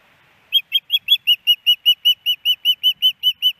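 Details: At a nest in Hellgate Canyon, Missoula, Montana, on 10 September 2018, a female osprey calls to the male for fish: a steady series of high, piercing chirped notes, about two to three per second.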